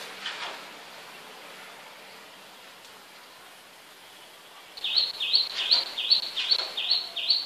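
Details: Sparrow while bathing: after a quiet start with faint distant chirps, a run of short, bright, slightly falling chirps begins near the five-second mark, repeated about twice per second.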